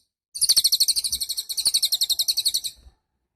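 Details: Cililin singing as a tutor for songbirds: a bright, piercing trill of rapid buzzy pulses, about eight per second, lasting over two seconds before fading out.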